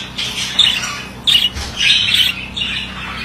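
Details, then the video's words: Male budgerigar warbling indoors: scratchy, chattering phrases in short bursts with brief gaps, harsh squawky notes mixed with chirps, faint low hum beneath. "Erkek muhabbet kuşu sesi"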